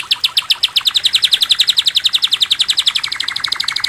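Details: Cililin (Lesser Racket-tailed Drongo), a songbird kept for fighting-spirit training, gives a fast, even series of sharp chirping notes, about four each second, with the pitch sliding gently downward over nearly four seconds. Nothing else stands out.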